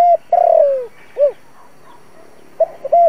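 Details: Lure recording of a spotted dove for trapping wild doves: a long purring coo sliding downward, a rounded closing note, then the start of the next phrase with short level hoots.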